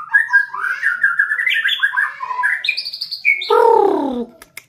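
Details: A white-rumped shama being trained to turn into a fighter delivers a fast, varied warble of slurred whistles that climb step by step higher, ending in one loud, harsh, downward-sliding note.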